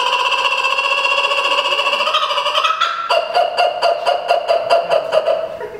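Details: A laughing kookaburra at Berlin Zoo gives a rich, rolling chuckle that climbs in pitch, then breaks into loud, rhythmic 'ha-ha' notes about three per second.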